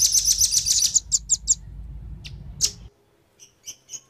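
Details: Male and female velvet-fronted nuthatch calls used to lure wild birds: a quick high chattering trill for a second, then scattered single sharp high chips separated by silences, over a faint low hum.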